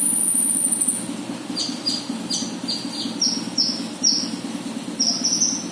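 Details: Konin bird lure call: short, thin high whistled notes, some sliding, given in loose bursts over a continuous low droning hum.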